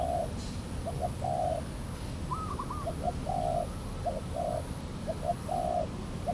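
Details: Spotted dove, a wary wild bird approaching a trapping decoy at Valdor, Seberang Perai, 17 November 2013; rhythmic low coos in short-short-long phrases, one burst of higher rising notes, constant background hum.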